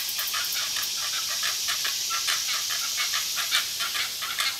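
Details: Fighting great egret chicks, two fledglings shortly after feeding, one harassing its sibling; quick repeated ticking calls about twice per second, partly masked by a continuous high hiss.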